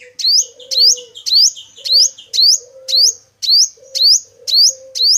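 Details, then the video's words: Male five-coloured sunbird, recorded for use as a trapping lure, giving a steady string of bright, sharply rising chirps nearly twice a second over a quiet low hum. "Tiếng chim Hút Mật 5 màu trống chuẩn đi bẫy"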